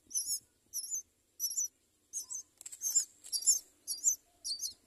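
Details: At a nest where myna birds raise four young, high-pitched squeaky calls come in short separate bursts, about eight in five seconds, each a quick wavering chirp, with near silence between.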